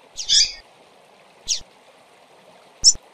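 Female Double-collared Seedeaters give three short, high chirps about a second and a half apart, the first longer and buzzier, over a steady low background murmur.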